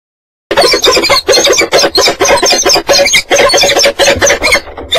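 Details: Peregrine falcons at their nest on the water tower at Axel, recorded between March and May 2011: loud, harsh, rasping calls repeated in rapid bursts, about two per second, with brief gaps between them.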